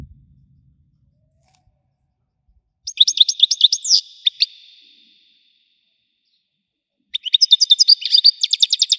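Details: Widani-style European goldfinch song: two rapid, high twittering phrases mixing sharp chirps and a short buzzy trill, with a long silent gap between them; faint low rumble at the very start.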